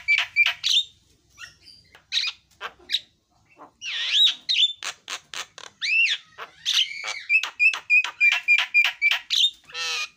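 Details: Javan myna singing a varied medley of harsh squawks, buzzy notes and clear whistles, ending in a rapid string of short repeated chirps around three per second, with no other sounds.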